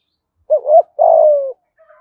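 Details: Single thúc gù phrase in a giọng thổ voice from a spotted dove in Dong Nai, Vietnam: a two-humped rising lead-in note, then a long, low, even coo that sinks slightly before stopping.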